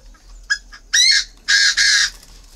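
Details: A tame captive Chinese francolin, raised from young, calling in October while it waits to be paired with a female. It gives loud, harsh, ringing bursts: one short note, then a longer one, then a double burst, against a quiet background.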